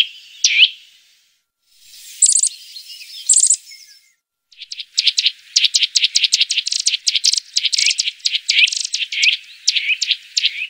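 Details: Eurasian nuthatch calls used as a lure to attract birds: one sharp high note, two short clusters of very high chips, then a long rapid run of piercing, evenly repeated high notes that fills the second half.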